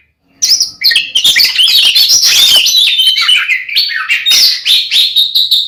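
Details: Fighting song of an oriental magpie-robin, used to provoke another male to anger; after a short silence comes a continuous torrent of high whistles, trills and harsh rasping notes, loud and unbroken.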